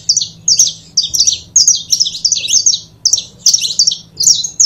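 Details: Saffron finches, a mated pair called canário da terra, chattering in repeated quick bursts of shrill chirps and twangy whistled slurs, each burst roughly half a second, separated by short gaps, over a low background hum.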